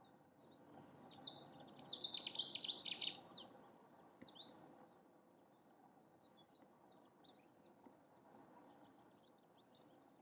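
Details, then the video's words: Cetti's warbler giving its territorial and courtship display at Newport Wetlands Reserve: a dense, loud burst of high rapid notes for about two seconds, followed by fainter scattered chirps over a quiet low background hum. "Cetti's Warbler in Newport Wetlands: #1 Display"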